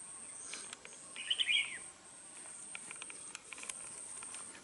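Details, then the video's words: Red-whiskered bulbul from Đồng Nai, Vietnam, a caged decoy bird for fighting and trapping, known for a harsh voice. One short, quick warbled phrase of bright notes rises over a constant shrill insect drone, with faint ticks. "Bẫy đấu chào mào vip | nhậy đuôi xoè mềm , siêng mỏ giọng gắt , hay bung xoè"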